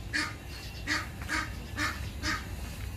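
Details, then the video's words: Ducks quacking: five short, harsh, nasal calls spaced roughly half a second apart over three seconds, set against a low, steady background rumble. "البط 🤗 Ducks"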